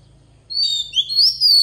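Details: Decoy Oriental magpie-robin giving wild-voice song to tutor young birds: clear whistled notes in three bursts, each sliding upward, then a long, high, falling whistle, over a low mechanical hum.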